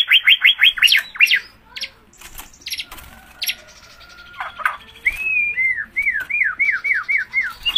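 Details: White-rumped shama (murai batu) singing gacor with fast trills of upswept notes, a long steady whistle, and then a lively run of looping slurred whistles.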